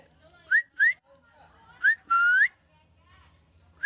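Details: A happy rescued ringneck parakeet makes quick rising whistles in a rapid cluster, then one longer upslurred whistle, over a low indoor hum.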